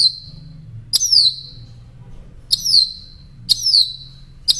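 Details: Northern mockingbird song for caged-songbird training: thin, very high downslurred notes, each a short sharp whistle repeated four times at roughly one-second intervals, with soft low hum between.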